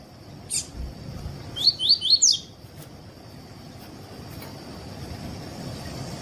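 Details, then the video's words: A "tuí tuí" phrase from a Double-collared seedeater, used for teaching and warming up other seedeaters. After a single sharp chip, four quick upslurred whistles sound in under a second, followed by quiet hiss and a constant high whine. "ENCARTE PAPA CAPIM TUÍ TUÍ PERFEITO ENSINAR PAPA CAPIM COLEIRO ESQUENTAR CANTO DO COLEIRO/PAPA CAPIM"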